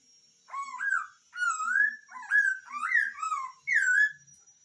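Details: Hwamei singing loud, rich whistled phrases that slur up and down, several varied notes in quick succession separated by brief pauses, clear and alone.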